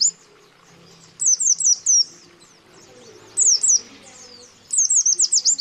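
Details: White-eye (pleci) calls used as a lure, with male and female calling: thin, very high chirps in quick bursts of four to six rapid down-slurred notes, separated by short pauses, over a quiet low background.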